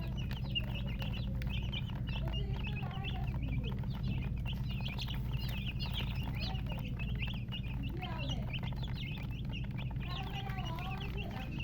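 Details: Chicks of the domestic chicken (murgi) peeping continuously, many thin high chirps overlapping, short rising and falling notes packed densely throughout, over a loud steady low hum.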